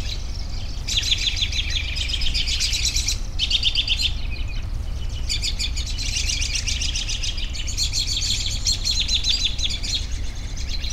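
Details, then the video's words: Dense high chirping from many birds in bursts separated by brief lulls, over a constant low hum. "10 Minutes of Bird Sounds for Relaxation"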